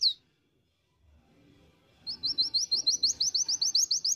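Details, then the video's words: Ngriwik song of a promising pleci dakun white-eye from Indonesia: after one high chirp and a silence, an even, rapid series of about sixteen sharp, high, slurred notes, roughly three every second. "NGRIWIK PROSPEKAN BAGUS PLECI DAKUN"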